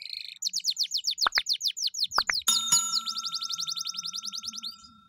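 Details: Loud 'gacor' canary song made of fast, high, repeated downward-sweeping notes in tight trills, broken by a couple of lower sharp notes and then a long rolling trill with a steady whistled tone underneath.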